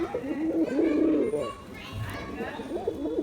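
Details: Performing male Giribuz pigeon: one strong, rumbling coo over the first second and a half, then softer murmured cooing amid background chatter.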